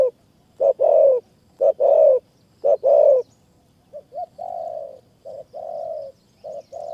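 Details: Spotted dove coos in high forest at Kanchanaburi, Thailand, during dove trapping with a decoy. It gives three loud, low cooing phrases, then softer, shorter coos in a broken rhythm about once a second.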